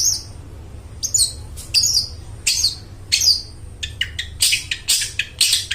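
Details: Prolific long-tailed shrike with a loud, clear voice, played to lure mute shrikes into singing. Several spaced, downslurred rasping notes come first, then a quicker series of short, harsh, high chatters.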